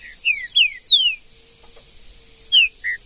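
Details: Green-winged saltator singing in the woods: loud, clear whistled notes sliding downward, several in quick succession, then a pause of about a second before more sharp whistles resume.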